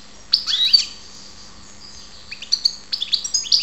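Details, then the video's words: European goldfinch, called karderina, in Ptolemaida, Greece, gives a short twittering flourish of slurred downward notes, pauses nearly two seconds, then resumes with a quickening series of thin high chirps and buzzy notes. "karderina Goldfinch"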